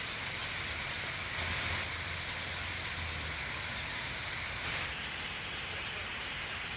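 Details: Common starlings at dusk on a chilly day at RSPB Ham Wall, Somerset Levels, having flown straight down into the reed bed to roost: a dense hissing wash of countless overlapping chirps and clicks blurring into one steady roar.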